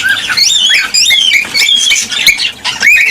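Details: Cockatiel song played to stimulate mating and breeding: loud, rapid warbled whistles rising and falling, with sharp upward sweeps and short chirps packed closely together, some harsher squawky notes mixed in.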